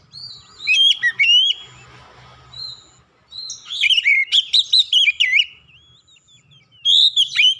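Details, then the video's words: Oriental magpie-robin (kacer) song used as a lure to get silent magpie-robins singing: clear, loud whistled phrases with sweeping slurred notes in three bursts, the middle one long and varied, separated by quiet gaps with a faint low hum. "kicauan jernih Kacer pemikat | KACER macet bunyi langsung ikutan gacor"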